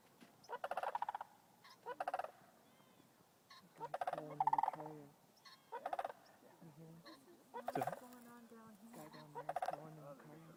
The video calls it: How a crane (bird) makes sound.